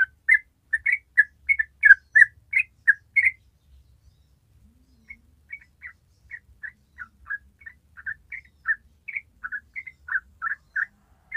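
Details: A yellow-vented bulbul gives its long rapid 'ropel' song. A loud burst of chirpy notes is followed by a brief pause, then a softer series of slurred whistles resumes at a similar pace.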